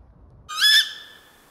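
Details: Tawny owl in a forest reserve at Morysin, Warsaw, on a warm, windless evening of 24 February 2024 at full moon, after it flew in and perched: a single harsh, nasal call rich in overtones, about half a second, fading with a short echo.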